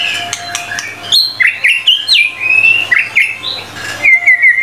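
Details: In lively full song, a white-rumped shama delivers a chain of varied whistles, down-slurred and up-slurred notes in quick bursts, closing with a short series of wavering whistled phrases.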